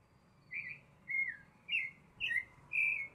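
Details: In La Garita, Alajuela, Costa Rica, a Baltimore Oriole gives five clear, flute-like whistled notes about half a second apart, some slurring downward, over a faint low rumble.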